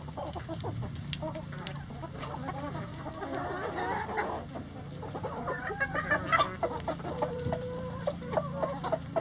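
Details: Several chickens in a coop clucking together in a busy, overlapping chorus of short notes, with a steady low hum underneath.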